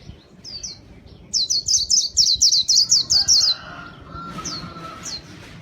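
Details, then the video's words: White-eye song meant to lure birds. A couple of thin opening notes lead into a rapid burst of about nine high, slurred chirps, followed by scattered single calls and a faint, steady lower whistle. "Kicau pleci gacor paling ampuh buat pikat"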